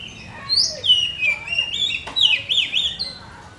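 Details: Blorok-type Oriental magpie-robin, a kept bird singing actively with tail pushed, delivers a loud, bright run of twisting whistles and trills with sharp pitch jumps. A single click is heard midway.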